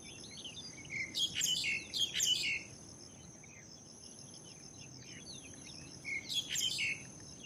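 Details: A cotton pygmy goose (Nettapus coromandelianus), recorded May 2020, gives short bursts of high, chattering staccato notes, two quick phrases, then a pause and another, over a steady high insect drone.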